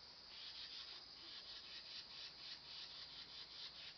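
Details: Fussing Carolina wren: a steady run of scratchy, buzzy rasps, roughly four per second, continues throughout against faint background hiss.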